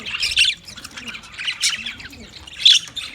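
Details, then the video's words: Budgerigar giving sharp, high squawks and chirps in short bursts, with louder harsh notes near the start and end and quieter twittering between. "Funny Budgie | Funny Budgies Sounds"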